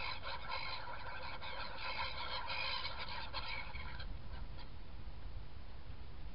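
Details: Black-headed gulls feeding and flying on 21 January 2017: many harsh, squealing, harmonic calls overlap densely for about four seconds, then thin to a few, over a constant low wind-like rumble.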